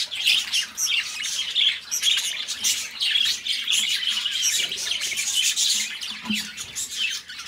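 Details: Companion budgies, two pet birds, warble steadily in a stream of squeaky chirps and rasping chatter, the notes closely packed and unbroken across the recording.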